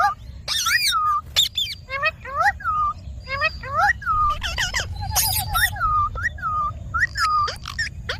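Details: Indian ringneck parakeet, a talking pet, repeats short, falling, whistly syllables again and again, mixed with raspy squawks and brief chatter, steady background hiss.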